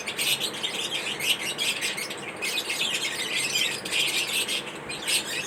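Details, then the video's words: Lovebirds at feeding time, eating corn, give a nearly continuous run of shrill, squeaky chirps and harsh chattering notes in quick overlapping bursts, with only brief pauses between them. "lovebirds chirping sound"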